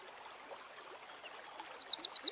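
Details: Eurasian wren singing in the wild: after a faint background, thin high whistled notes lead into a very rapid, even, piercing trill of repeated high notes, about eight per second.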